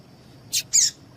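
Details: Female double-collared seedeater giving a quick pair of high, rasping chips, the second longer and louder, a call used to spur males to sing; a faint steady high whine runs beneath.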